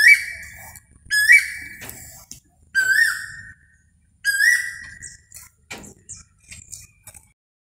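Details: Asian koel (Eudynamys scolopaceus) gives four loud, clear whistled notes about a second and a half apart, each swelling then easing, followed by softer scattered notes.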